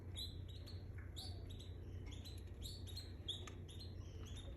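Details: Canary singing: faint, high chirps and short trills in quick irregular bursts, some notes sliding, all partly buried under a steady low hum.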